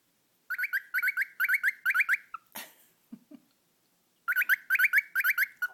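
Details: Pet cockatiel making funny noises: rapid strings of sharp, twangy chirps in two bursts, broken by a brief scratchy rustle and soft low thumps in the gap.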